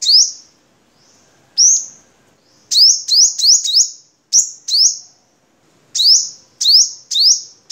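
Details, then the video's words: Vietnamese crimson sunbird singing very high, thin, sharp chirps, each a quick bright note, given singly and in fast runs of two to four with short pauses between. "Suara Kolibri Sogok Ontong"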